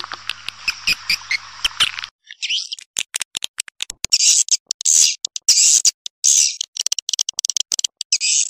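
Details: Swiftlet sound for drawing birds in: a few clicks and chirps, then loud, harsh, buzzy bursts alternating with sharp clicking rattles.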